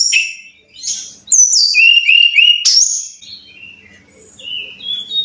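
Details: Brown-chested jungle flycatcher song played for caged birds to learn: high swooping whistles followed by a quick string of clear notes dropping in pitch, then softer drawn-out whistles over a faint hum.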